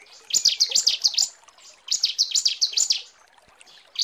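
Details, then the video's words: Female bar-winged prinia calling to the male, used as a lure: two bursts of high, rapid zigzag chirps, each about a second long, with a faint trickle behind. "Suara ciblek betina panggil jantan"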